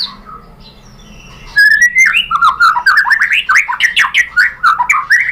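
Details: Shama song played to goad other white-rumped shamas into singing: after a quiet start, a rising whistle leads into fast, varied warbling with sharp high ticks.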